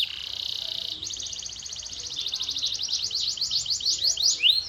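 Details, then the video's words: Canary singing a fast trill that speeds into a chain of rapid sweeping notes, growing louder toward the end. "The Ultimate Canary Bird Attraction!"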